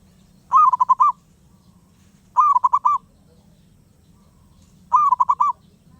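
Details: A wild zebra dove keeps singing. Three clear phrases, each a fast run of four or five rolling coo notes, repeat about every 2.5 seconds against a low continuous hum.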